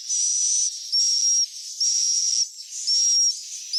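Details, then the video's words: Swiftlet chicks calling, played to attract swiftlets to roost: long hissy notes with a thin whistle line, four main notes in a steady rhythm over a constant background hiss. "SUARA WALET ANAKAN TERBARU"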